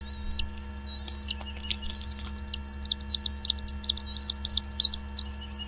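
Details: Nestlings calling in the nest as parent birds bring food, thin high whistled notes with upward and arched sweeps, becoming quicker, clustered chips after a few seconds, over a steady low electrical hum.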